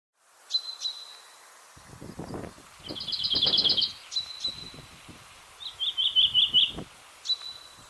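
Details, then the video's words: Common chaffinch (Fringilla coelebs) song: two short bursts of bright, rapid trilled notes, with thin, high, level whistles from other birds and a low rumble of wind. "CHANT DU PINSON DES ARBRES"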